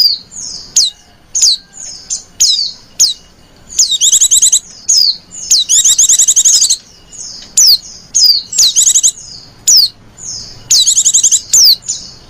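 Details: Female white-eye used to lure others, giving lenjeh manja calls: repeated short falling whistles every second or so, mixed with bursts of very high buzzy chatter, steady and close.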